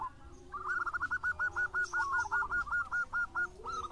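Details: Vocal local zebra dove delivering a fast, even string of staccato coos, roughly two and a half per second, each note short and hooked, against a faint low rumble.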